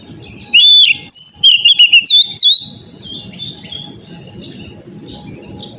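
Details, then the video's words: Oriental magpie-robin in training audio for young birds sings one energetic burst of piercing whistles and quick slurs. Softer high twittering and a steady hum with low rumbling noise follow. "TERAPI KACER BAHAN AGAR CEPAT GACOR NGEPLONG"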